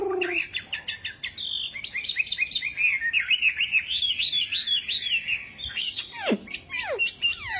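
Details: A wambi bird in full song gives a lively, high-pitched run of quick chirps and rolling up-and-down warbled notes, ending with a few sharp whistles that swoop steeply downward.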